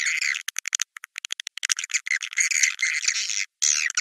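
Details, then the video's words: Swiftlet call of the Naga Merah type, used to lure swiftlets to come to nests: rapid, bright chirps and clicks in quick bursts, broken by brief silent gaps, with a denser twittering run near the end. "Suara Burung Wallet Naga Merah"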